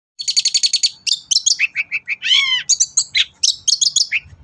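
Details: Long-tailed shrike song used as a lure recording to get shrikes singing: a fast mimicking medley of repeated high chips, a burst of rapid trills, a harsh buzzy rising note, then varied whistled phrases.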